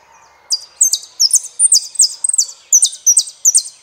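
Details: Argentine saffron finch repeating bright, high downslurred phrases, often paired notes, about every half second in an uneven, jaunty rhythm. No trill in this passage, and the background is nearly silent.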